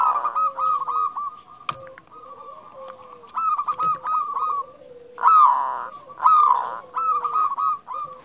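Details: Local Indonesian zebra dove singing vigorously, a recording used as a lure to make other zebra doves sing: pulsed, bubbly cooing phrases repeated irregularly, with a fainter lower drawn-out coo in the background.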